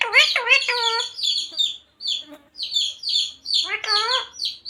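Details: Talking pet parrot, a green ring-necked parrot, saying the Hindi phrases Radhe Radhe and Sita Ram: harmonic, speech-like syllables with rising and falling bands, given in short bursts separated by brief pauses, mixed with higher chirpy notes.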